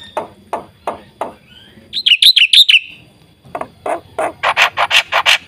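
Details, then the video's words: Black-winged starling in full gacor song with rich isian fill-ins: a few low harsh chacks, then a quick run of six bright chirps, a pause, and a fast climbing burst of loud ringing notes. "suara burung jalak putih gacor full isian"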